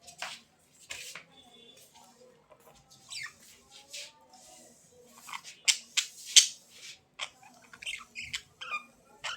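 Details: Budgerigars chattering in quick uneven bursts of sharp, squeaky chirps and scratchy notes, with short pauses between, several brief whistled tones and a loud cluster of chirps near the middle.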